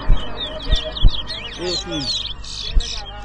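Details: Large-billed seed finch (towa towa) in a whistling competition at Rosehall Town, Guyana, 2022: rapid high twittering and warbled phrases, with men talking underneath and sharp knocks.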